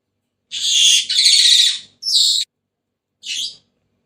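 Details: Senegal parrot making two long grating screeches in quick succession, then a sharp upslurred squawk and, after a pause, a short harsh note.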